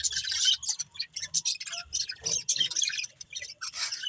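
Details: Budgerigars chattering in dense, buzzy, high-pitched bursts of warbles and chirps, broken by short pauses, with a faint low rumble beneath.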